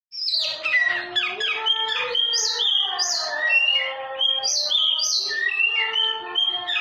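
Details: Oriental magpie-robin, or kacer, in melodious song: a rich, varied flow of clear whistles, rising sweeps and rapid trills at many pitches, with repeated high upslurred phrases, continuing without pause.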